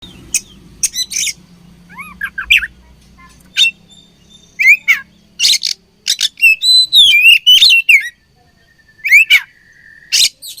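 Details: Oriental magpie-robin song from birds described as fighting: loud, varied whistles, sharp rising and falling slurs, and harsh buzzy bursts in quick irregular runs, with a long level whistle near the end over a faint low hum.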